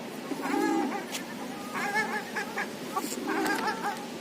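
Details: Ruddy shelducks in the north of Moscow, Russia, giving nasal, harmonic honking calls in short overlapping bursts, several in quick succession with brief gaps, over a low background rumble.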